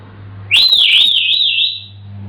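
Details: Indoor pet African grey parrot singing one long, loud, high whistle that wavers up and down for over a second before fading, with a faint steady hum underneath.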